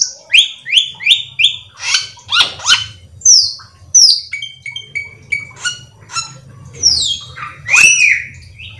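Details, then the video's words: A Black-winged Myna pours out a rich, varied song of clear whistles, harsh squawks and rapid chattering phrases over a faint low hum, played to lure other Black-winged Mynas into singing. "cucak Keling gacor teler Full isian"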